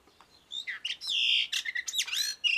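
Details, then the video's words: Blue rock thrush (Monticola solitarius), known locally as murai batu arung, singing a varied run of whistled, slurred phrases with a few harsh, hoarse notes and rapid sweeping figures in quick succession. The background is quiet. "Masteran Murai batu arung/mirip kacer"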